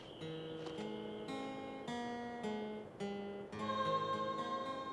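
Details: Plucked acoustic guitar plays a gentle melody of separate notes and chords, with no animal sound.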